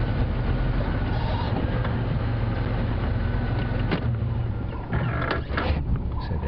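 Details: Low engine drone of a safari vehicle at sunrise, joined by mechanical clicks and rattles toward the end.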